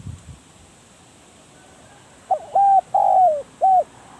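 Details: Spotted dove used as a decoy in trapping wild doves. After a quiet pause it gives one mellow four-part coo: a brief soft note, a steady coo, a drawn-out coo dropping at the tail, and a clipped final coo.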